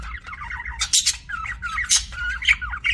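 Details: Several budgies chirping and squawking: looping, warbled chatter mixed with harsh, loud screechy bursts roughly once a second, set against a soft steady hum.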